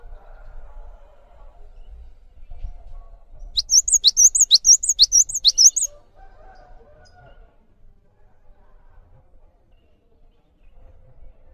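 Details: Cinereous tit song recorded to train other birds: a two-second run of clipped, rising high notes repeated rapidly and evenly, set between stretches of soft low background noise.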